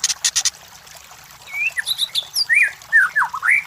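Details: White-rumped shama lure song for competition birds: a few dry clicks at first, then a gap, then rich swooping whistles and warbled rising and falling phrases.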